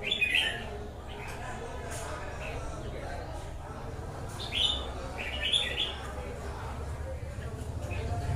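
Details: Wild-caught red-whiskered bulbul giving several brief high chirpy whistled phrases spaced a few seconds apart, with a steady low hum underneath.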